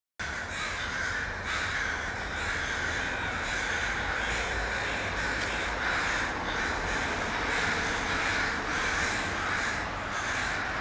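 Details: Many crows gathering in a tree in Vancouver, British Columbia, Canada, recorded on an iPhone 5S: a dense, unbroken chorus of harsh overlapping caws, with louder bursts roughly every second over a steady low hum.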